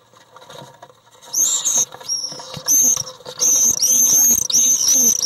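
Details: Common swifts fighting inside an occupied nest box on 1 July 2012 after an intruder entered behind one of the resident pair. Shrill, very high screams come in bursts that grow longer and nearly continuous, with scraping and scuffling underneath.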